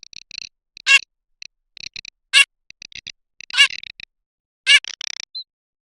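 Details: Garganey rattle of quick dry clicks with four loud rasping calls spaced just over a second apart.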